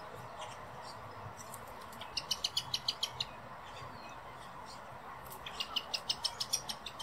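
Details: Female and male common blackbirds in Madrid's Real Jardín Botánico, Spain; two rapid rattling runs of about eight sharp high chinks each, separated by a pause, with soft ambient noise.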